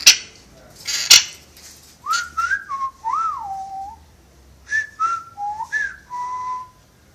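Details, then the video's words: Captive parrot, known for wolf whistles and whistling a film marching song, whistles a melodic phrase of gliding pure notes that rise then fall, after two sharp clicks, in a small room. "The Whistling Jungle Parrot!"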